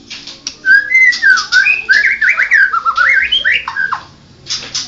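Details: Mottled Medan white-rumped shama giving a continuous run of loud, fluting whistles that slide up and down, broken by harsh buzzy notes, ending in a short pause and a final rasp.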